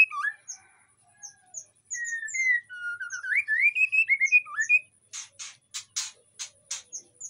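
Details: White-rumped shama, breeding condition, Indonesian aviary, singing to lure others of its kind: high thin notes, then a flowing whistled phrase, followed by a series of harsh rasping bursts.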